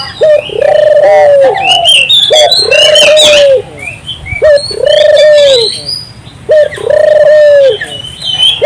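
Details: Turtle dove in full song, played to encourage local doves to join in: repeated pairs of a short note and a longer smooth mid-low coo, roughly every two seconds, over constant high twittering from other birds.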